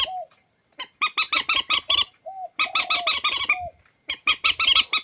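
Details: Swamphen calls compiled as a lure recording for bird trappers: bursts of harsh, nasal, rapidly repeated squawks with strong overtones, separated by short gaps, with a few short lower whining notes between bursts.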